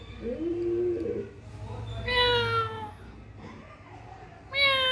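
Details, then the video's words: Parrot voicing a bright, harmonic, descending screech. A shorter call follows near the end, over a low indoor hum and faint cooing. "funny parrot 🦜 😄 beautiful mitthu sounds"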